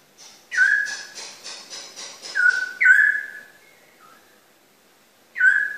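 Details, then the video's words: Straw-headed bulbul, locally called cucak rowo, gives loud rich whistled notes that slur down and level off, one with a rapid series of buzzy pulses. The strong whistles return after a short quiet gap. "Cucak Rowo / Cucak Rawa"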